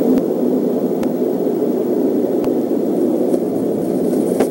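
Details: Heavy blustery rushing noise with scattered clicks, and no animal voices present.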